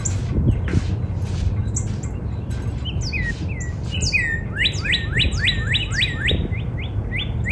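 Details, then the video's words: Spring song of a Northern cardinal in a backyard, starting with scattered notes and building into a fast series of upward-sweeping whistles. High-pitched chirping from other birds overlaps throughout, over a steady low hum. "Real Natural Spring Cardinal Bird Sound"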